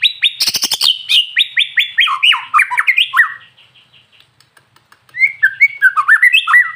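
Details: White-rumped shama lure song to make other shamas sing: a fast stuttering burst of sharp notes, then a string of loud slurred whistles, a short pause, and another series of looping whistled phrases.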